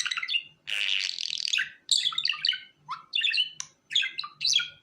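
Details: Budgerigar chatter: a long scratchy buzzy note followed by quick squeaky chirps and falling whistles, delivered in short bursts separated by brief silences, faint background hum.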